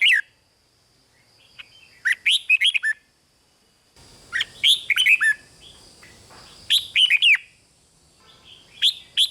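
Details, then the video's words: Red-whiskered bulbul kept as a cage bird, singing rik-style to rouse other caged birds: four clipped bursts of lively warbling whistles every two to three seconds, soft hiss and a high background tone between them. "เสียงนกกรงหัวจุก ร้อง ริก เปิดให้นกฟัง ยั่วให้นกคึกจัด"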